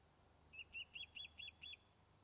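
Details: Osprey back on the nest at Loch of Lowes, Scotland, fish-calling after it was thought lost: six high, slightly doubled whistled chirps at steady intervals, growing a little louder.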